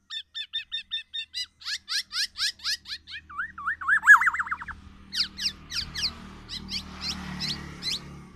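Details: Kepodang emas, the black-naped oriole, tame and a frequent singer: a fast train of clipped rising notes, a rapidly wavering whistle, then scattered sharp notes against a rising background rumble and noise.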